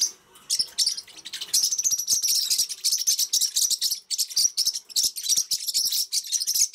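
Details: Pacific parrotlets (Forpus coelestis), several birds indoors, chattering in a steady stream of high, scratchy chirps and rapid twitters, calling over one another.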